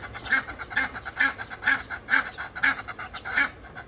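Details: Egyptian geese calling loudly in a rapid run of eight strident, braying honks, roughly two per second, each honk rising and falling with strong, ringing overtones and little background noise between them.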